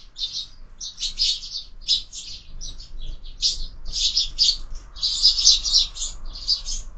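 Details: Sparrows feeding at a window feeder in the morning, where birds are fed all year; rapid sharp chirps run almost without pause, several birds calling over each other.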